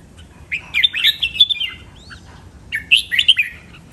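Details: Training song of a red-whiskered bulbul in the len rik, nap dok, mae bot and lak wai styles: a long, tumbling phrase of clear whistled notes, a short pause, then another bouncing warble.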